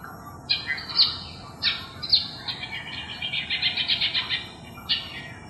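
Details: A long-tailed shrike mimics other birds (possibly crested myna, collared kingfisher, Eurasian tree sparrow, pied triller) on July 8, 2021: bright high whistles and quick chattering notes, with a rapid scratchy trill in the middle.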